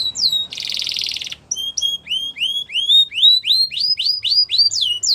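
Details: Gloster canary song used for training: an opening whistle and dense buzzy trill, then a steady series of rising, upward-curving whistled notes repeated several times a second.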